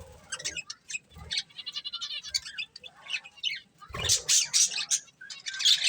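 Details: Colourful budgies giving rapid clicking chirps and short high notes in a patchy series, some low thumps and rustling, then a louder cluster of bright squeaky calls near the end.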